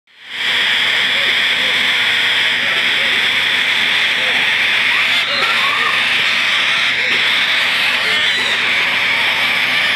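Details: Four incubator-hatched, hand-fed baby slender-billed corellas (Cacatua tenuirostris), about three weeks old on 19 March 2015, give a steady, harsh rasping churr without pause: a high hissing drone with faint lower clicks beneath it.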